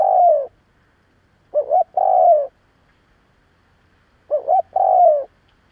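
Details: Spotted dove used to provoke other doves, giving repeated coos: the tail of one phrase, then two more phrases spaced about two and a half seconds apart, each a quick wavering note then a drawn-out falling coo.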